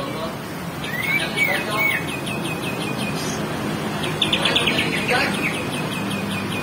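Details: Greater green leafbird song from Banyuwangi used as a training track, with a varied run of quick whistled and chipped notes, some upslurred, others in fast repeated series; steady broad background hiss throughout.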